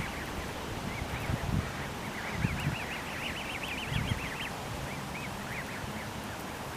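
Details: Canada goose goslings feeding and squabbling beside their parents give rapid, high, wavering peeps in quick bursts, over low rustling, pecking and bumping sounds close by.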